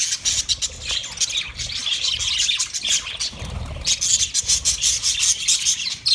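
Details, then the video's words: A group of budgerigars, 29 February 2024, keeps up a continuous twittering and chirping, the high scratchy notes pulsing in quick rhythmic bursts. "Best Sounds Of Budgie Bird"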